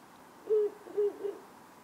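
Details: Ural owl at night in town, part of a pair using power lines and antennas: a deep level hoot, a second similar hoot half a second later, then a short faint third note, over soft hiss.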